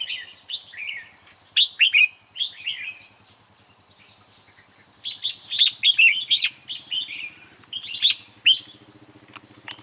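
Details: Decoy red-whiskered bulbul used in trapping, singing to draw other bulbuls in: repeated quick warbling phrases with sharp rising notes, two dense bursts separated by a pause, and a faint low hum in the background.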